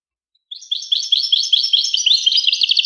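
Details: European goldfinch song: a fast, continuous twittering run of bright, tinkling notes and buzzy trills, starting after a half-second of silence and staying high-pitched throughout.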